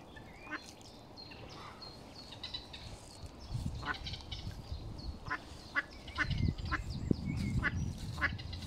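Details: Mallard ducklings give thin, high, brief scattered peeps, a couple each second, as their mother watches over them, over a low rumble of wind or handling noise; Smithpool, Stoke-on-Trent, 19 April 2022.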